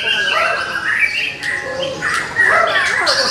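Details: Young wild-caught White-rumped shama with a varied repertoire, singing loud clear whistled phrases with sliding notes, a short dip near the middle, then a louder burst of rich overlapping whistles and chirps.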